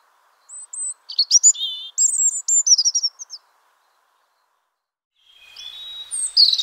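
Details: European robin, a wild bird in spring, delivers a high, thin phrase of sliding whistles and rapid twitters, goes silent for two seconds, then starts another shrill, rising phrase.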